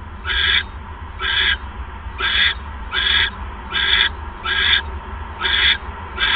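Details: At an owl nest on the evening of 1 January 2015, during the second mouse delivery: rasping, noisy screeches repeat steadily, about one a second, over a low electrical hum.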